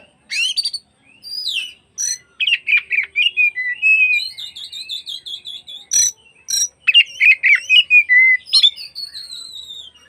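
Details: Afternoon oriental magpie-robin song used to provoke rival magpie-robins into opening their tails: loud, fast, varied phrases of sharp whistles, buzzy trills and slurred notes, with a sustained warbling passage mid-clip and rapid repeated notes near the end.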